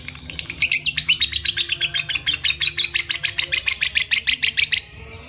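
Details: Ngekek song of a lovebird: a rapid, scratchy chatter of evenly spaced buzzy notes that builds after a brief pause, runs steadily for several seconds, then stops abruptly near the end.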